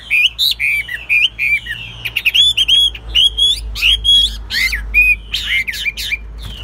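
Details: Chinese hwamei kept as a caged songbird, singing a rich varied phrase of clear whistled slurs and sharp harsh bursts, notes falling then rising, delivered quickly with brief gaps; faint low hum behind.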